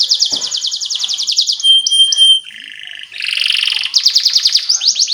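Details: Canary song for training young birds: rapid trills of repeated notes, a thin sustained high whistle, a lower buzzy rattle, and a bright fast trill returning at the end.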